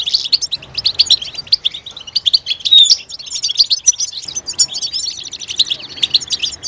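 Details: Mating and readiness calls of a European goldfinch, known as betbeta, to stimulate males to sing. Rolling, high-pitched twitter with a louder whistled note near three seconds and a short gap after four.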